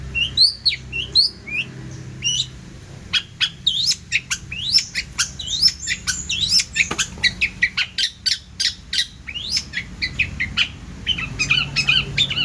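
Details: Cendet, long-tailed shrike, in full, varied song: looping whistled slurs at first, then rapid ticking notes and sharp high chirps, ending in a jumbled chatter.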